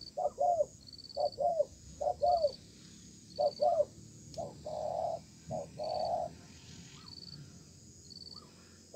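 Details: Stubborn wild-caught spotted dove in a calling contest below a communal house, sparse-style singing: paired low coos with falling tails, then longer flat, droning coo notes, while rhythmic insect pulses tick high overhead.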